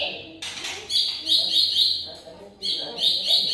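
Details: Murai batu, the white-rumped shama, in a 2021 lure recording: rapid, steady high notes repeated about four per second, interrupted once by a brief harsh burst.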